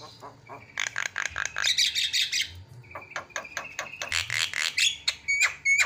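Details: Javan myna used as a lure to make other birds call: bursts of harsh chatter and buzzy squawks, a level whistled tone running beneath, and thin high whistles toward the end.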